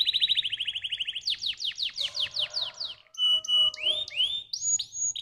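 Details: Stimulating canary song opening with a fast, even trill, then buzzy descending notes repeated several times, followed by a pause and bright upslurred whistles alternating with short flat tones.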